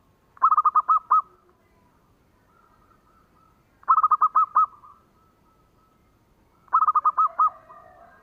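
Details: Zebra dove song used as a lure to set other doves singing. Three bursts of quick, evenly pulsed coos at a steady middle pitch, spaced roughly three seconds apart, with faint soft notes between phrases.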